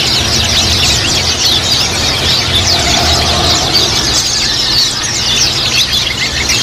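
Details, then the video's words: Many caged white-eyes kept together, played as therapy to get other white-eyes singing quickly: a dense, continuous high twittering chorus of overlapping chirps and trills, over a steady low hum throughout. "terapi pleci ombyokan agar cepat ngiriwik | suara burung"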